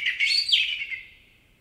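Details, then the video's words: Common blackbird singing in a forest in Spain: a short burst of slurred, twittering whistles that quickly rise and fall in pitch, then trail off into a fading echo within a second and a half. "Common Blackbird Song & Calls - The sounds of a blackbird singing in a forest"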